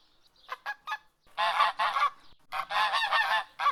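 A domestic goose gives three short clipped honks, then a run of loud, drawn-out, harsh honks in quick succession, ending on one brief honk.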